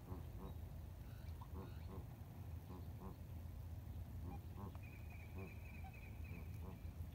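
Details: Ducks on the Colorado River at Lake Havasu near Needles, California, at sunrise on April 12, 2021, recorded on an iPhone 7: bursts of nasal quacks in quick series over constant low water and engine rumble, with a thin high whistle near the end.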